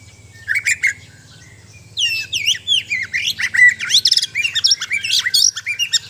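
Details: White-rumped shama of the Borneo (Sabah) type, a kept bird in mental training, singing: a short pair of notes, then a dense rush of varied whistles, slurs, and sharp chirps with a steady low hum underneath.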